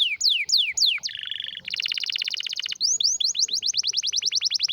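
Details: Canary delivering a strong, rare song used for training: loud falling whistled notes, a low buzzy roll, a dense rattling trill, then quick rising sweeps repeated about five per second.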